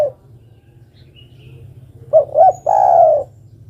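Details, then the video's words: A single phrase from a female spotted dove calling the male: two short soft coos, then a longer even coo, heard after a quiet stretch with low hum. "Suara burung derkuku betina memanggil jantan"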